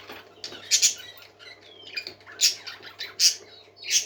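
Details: Happy parakeets singing indoors: soft warbling chatter broken by loud, sharp high chirps in spaced bursts about every half to one second, over a steady faint low hum.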